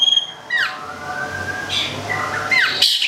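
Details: Cendet, a local long-tailed shrike from Gedong Songo, Central Java, kept for its song: falling whistled slurs and a long, softer mid-pitched whistle, then a bright high burst at the end, over low room hum.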